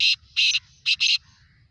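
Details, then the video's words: Black francolin (kala teetar, black partridge) giving four harsh, grating notes in two quick pairs, loud and scratchy, over a faint low hum. "kala Teetar Awaaz"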